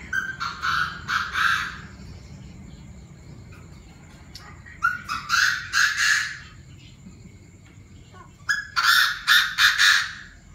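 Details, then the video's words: Chinese francolin calls heard in the evening around 7 pm, several birds with different voices calling loudly: three bursts of harsh, rhythmic, grating notes, each about one and a half seconds long, separated by quiet gaps with faint background hiss. "Tụi đa đa - nhiều giọng - đại náo lúc 19h"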